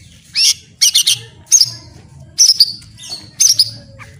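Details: Song material of a white-rumped shama, used for training birds: short, scratchy bursts of high chattering notes in clusters about a second apart, with a faint low hum underneath.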